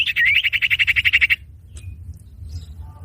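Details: Common iora (cipoh) lure song used for trapping or training: a rapid series of about a dozen buzzy, pulsed notes for just over a second, ending abruptly, then quiet with low background rumble.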